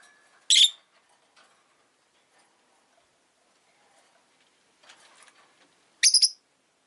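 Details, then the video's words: Rosy-faced lovebird calls: two loud, shrill, harsh chirps, the second broken into quick rapid pulses, with soft scratchy rustling and faint background noise in between. "Lovebird Chirping Sounds"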